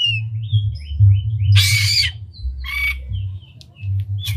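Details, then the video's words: Oriental magpie-robin in full song, tail spread, its unique phrases used to stir other birds of its kind: a series of upslurred whistles, then two harsh rasping bursts and faint ticks, over a continuous low hum. "Pancingan Kacer Gacor Buka Ekor Lagu Unik! Bagus Buat Menaikan Emosi Kacer Lain Agar Gacor"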